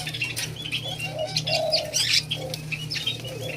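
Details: An alimukon, the white-eared brown dove, under taming: a soft short coo, then a longer, fuller hooting note, over thick high-pitched twittering of other birds and a constant low hum.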